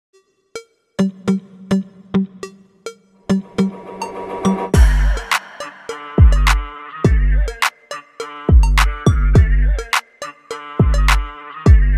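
Only hip-hop-style music with a strong drum-machine beat and deep bass kicks; no animal voice can be picked out.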